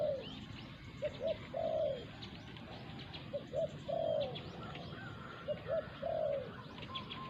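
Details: Encounter between a caged decoy spotted dove and a wild local one. Soft low coos in triplets, two clipped notes then a longer wavering one, recur about every two seconds. Scattered faint chirps from other birds.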